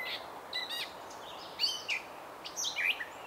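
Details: Gray catbird giving short, varied squeaky and slurred notes, several separate phrases in quick succession over about three seconds, with faint background noise.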